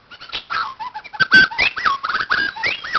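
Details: White-crowned shama at a playground giving a varied stream of short whistled and slurred phrases, some rising sharply and others dropping, with one sharp click-like note midway through.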